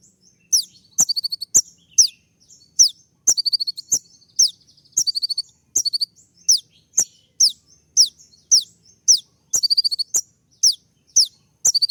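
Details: Olive-backed sunbird singing sharp, dense 'shooting' notes while courting a female: rapid high whistles sweeping downward, each followed by short stuttering trills, repeated continuously at brisk pace.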